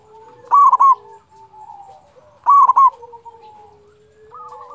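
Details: Local zebra dove singing keenly as a lure to arouse other doves; paired strong cooing phrases two seconds apart over quieter, lower-pitched coos from neighbouring birds.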